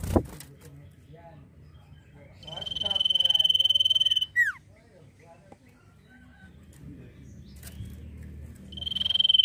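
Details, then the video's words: Cipoh, the Common Iora, delivering nyiul-style song: a drawn-out high whistle with a fast tremolo lasts about two seconds and drops into a sharp falling note. Knocks and background rustle come before, and a new whistle starts at the end. "CIPOH GACOR FULL NYIUL MANTUL!!"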